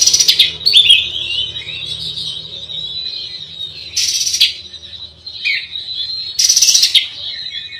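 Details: Oriental magpie-robin (kacer) singing to rile rivals: an ongoing high whistled warble interrupted by loud, rasping, buzzy bursts roughly every three seconds.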